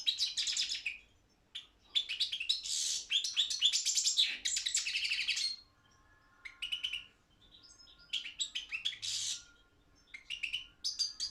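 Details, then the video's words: Balkan goldfinch, Carduelis carduelis balcanica, singing in a world championship of goldfinch song: rapid high twittering and buzzy trilled phrases, then sparser short chirps and tinkling notes with gaps between them. "Pesma štiglića 006/23 World Championship in Goldfinch Song"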